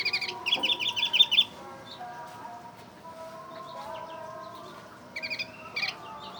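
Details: High-pitched, rapid, rattling trill of about eight notes from an Oriental white-eye imitating a bulbul, then a quiet pause and a few scattered chirps closing the phrase.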